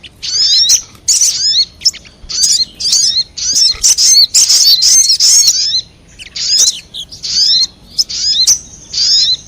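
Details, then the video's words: Lure sounds for attracting wild crimson sunbirds: high, sharp chirps and buzzy twitters in quick, irregular clusters, with thin descending whistled notes between bursts. "Suara pikat burung sogon 💯% bikin sogon liar berdatangan"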